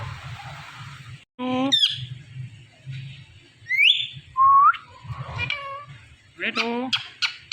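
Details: Indian ringneck parakeet talking at night, a mix of harmonic squawks, rising whistled slurs and bursts of speech-like chatter, with a low hum underneath.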